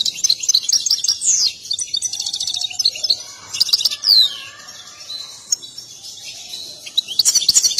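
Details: European goldfinch in an excited state, dancing as it sings a mating song. The phrases are varied: chattering twitters, a fast buzzy rattle of evenly spaced notes, a sharp downslurred whistle, then quieter warbling.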